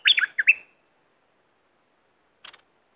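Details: Southern Thai bulbul used to stir up birds for trapping, opening with a rapid run of liquid, warbling whistles that trail off, followed after a long silence by a brief buzzy rattle.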